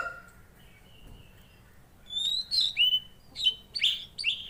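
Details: Tledekan Laut in full song: after a quiet start, a burst of sharp, high, piercing notes and short slurred chirps, delivered in quick clusters about half a second apart.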